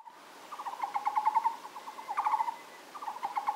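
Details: Taiwan barbet singing: short bursts of rapid, hollow, evenly pulsed low notes, each burst lasting about a second, with brief pauses between them and a quiet background.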